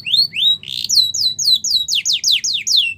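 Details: Russian canary training song: a brief buzzy burst, then a steady run of loud, clear downward-slurred whistles repeated roughly every quarter second.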